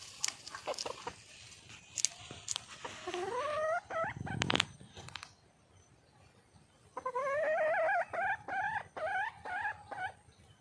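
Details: Red junglefowl hen calling for a male, with rattling knocks and a noisy clatter at first, then a rising call sequence and a long, steady run of repeated upswept notes.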